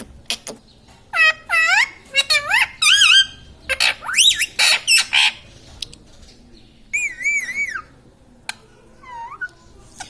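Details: Home parrot that says mummy, papa and radhe radhe chatters in quick, rising-and-falling tonal syllables. Bursts of speech-like warbling run close together, then a few wavy, whistled phrases follow after a short pause.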